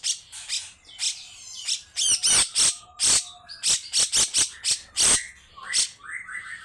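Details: Harsh besetan notes from a grey-cheeked bulbul come in clipped, scratchy bursts, some with a thin tone on top, ending in rising whistled notes.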